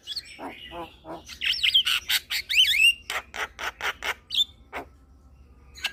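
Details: Javan myna chatter used as therapy for stressed, silent mynas: a low wavering warble, then looping whistles and a rapid series of harsh rasping notes fading to quiet clicks.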